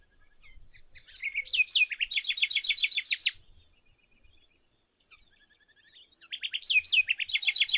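House wren song: a bubbling burst of high notes that slides into a fast rattling trill of rising-falling notes, heard twice with a brief pause between.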